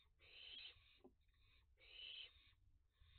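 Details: Juvenile barn owls, active as dusk settles on a hot, drought-stricken June evening in 2021. Two long, raspy, hissing screeches sound about one and a half seconds apart, with a faint soft tick between them.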